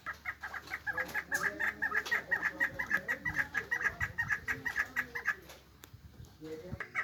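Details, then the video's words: Chukar partridge chick and female calling: a fast series of short, harsh clucking notes, about two per second, steady at first and then fading and thinning toward the end, with faint background hiss. "Yavru keklik sesi (meri)yavru keklik sesi dişi keklik sesi"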